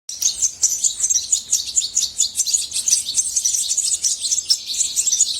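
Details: European goldfinch song, a bird kept by hobbyists: a fast, continuous twittering of high tinkling notes and trills, bright and jumbled, running without pause throughout.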